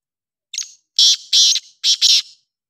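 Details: Black francolin, called kala teetar or Sindhi teetar, uttering its grating call: a soft, short lead note, then four loud, harsh, scraping notes in two pairs, clean and close.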